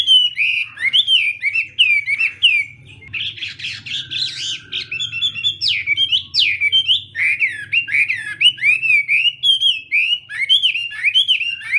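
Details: Chinese hwamei singing hard in a morning voice-training contest: a long, loud stream of rich whistled warbles and slurs, with a short harsher, chattering section midway before the bright whistles resume.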